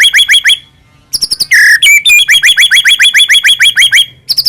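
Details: Rapid series of short upswept chirps from a white-rumped shama, broken by a brief pause and a harsh rasping note, a song meant to stir captive birds to sing.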